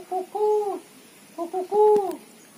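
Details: Female spotted dove calling to lure others: two phrases of quick short notes each ending in a longer arched coo, clear and close.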